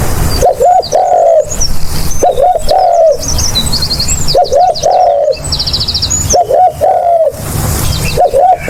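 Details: Spotted dove, sound used as a lure, repeating its soft cooing phrase five times about two seconds apart, each two clipped notes and a drawn-out coo, while small birds chirp and trill behind.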